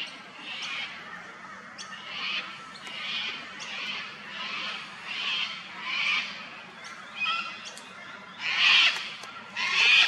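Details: Wild sulphur-crested cockatoo in Australia at an old dead tree where it feeds on honey and chews bark: a run of harsh, noisy squawks about every second, the last two louder and rougher.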